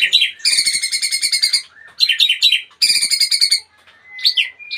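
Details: Retired champion magpie-robin giving loud, harsh, buzzy rattling bursts interspersed with sharp chips, three strong bouts separated by short gaps, then thin rising whistles.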